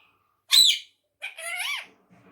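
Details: A talking pet ring-necked parakeet, said to speak Urdu and Hindi, gives a sharp high chirp. This is followed by a longer voice-like utterance with harmonic, arching pitch sweeps. The parakeet is indoors.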